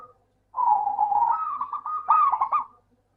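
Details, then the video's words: Zebra dove of local type, its song used to get lazy doves singing: one sustained bubbling phrase rising into quick trilled coos, ending abruptly in silence. "Suara burung Perkutut Lokal - PINTAR PANCING PERKUTUT MALAS BUNYI"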